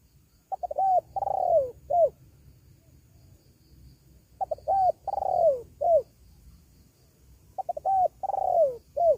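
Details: Spotted dove call used as a lure to draw in wild doves, said to get a response even from newly tied birds: soft, low, hollow coos in three-part groups, each group repeating about every three and a half seconds.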